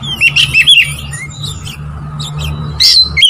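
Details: Oriental magpie-robin singing to provoke rival birds: a run of short, sharp whistled and chirped notes, a pause, then a higher burst of squeaky notes, over a low steady hum.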